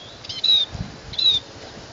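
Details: Scaly-breasted munia song: two thin, drawn-out high whistled notes, each slightly falling, about three-quarters of a second apart, over a low steady background hiss.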